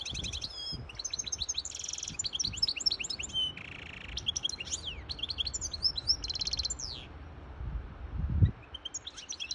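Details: Hybrid goldfinch song meant to tutor chicks and arouse the female for mating: a varied, nonstop medley of high chirps, buzzy rattles, whistles and trills, with a single sharp knock near the end.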